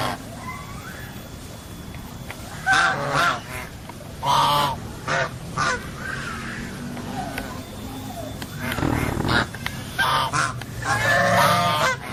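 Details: Geese honking repeatedly in irregular bursts, some calls nasal and drawn out, others short, over a constant noisy background hiss with possible human voices.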